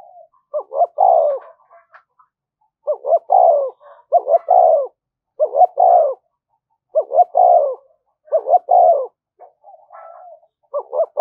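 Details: Repeated 'thúc gù' cooing of a spotted dove meant to attract wild birds: a steady series of low phrases, each two quick notes followed by a drawn-out falling coo, repeated roughly every one to one and a half seconds.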